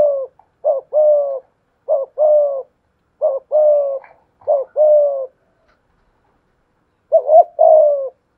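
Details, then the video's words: Decoy spotted dove in 'thổ pha thúc' style dueling with a wild dove: a run of about five quick two-part coo phrases, then a pause of nearly two seconds before one more phrase. "cu gáy giọng thổ pha thúc GÙ đấu với bổi, tiếng gáy bổi nghe rất ghét và gáy theo hiệu quả"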